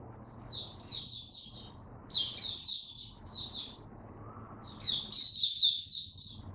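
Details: Caged hobby Oriental white-eye on the first day of a supplement test, singing buka: three separate bursts of high, fast twittering notes divided by silent pauses of about a second, over steady low hum.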